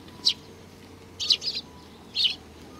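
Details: Sparrows at a Tenmangu shrine on 4 July 2019: three short, high chirping bursts, a single note, then a quick cluster of two or three, then another, separated by quiet low background hum.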